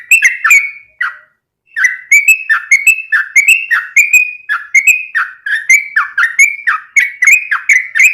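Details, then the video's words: Rapid, long-phrased Yellow-vented bulbul song played to coax captive birds into replying: a brief chatter, a short pause, then a continuous string of falling, whistled chirps repeated quickly and evenly. "SUARA trucukan gacor ROPEL PANJANG pancingan trucukan agar bunyi"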